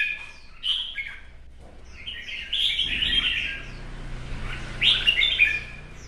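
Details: Red-whiskered bulbul in a competitive singing and fanning display. Scattered short whistled phrases come at roughly one-second intervals, quieter and more broken than usual. A low hum and background rumble run throughout.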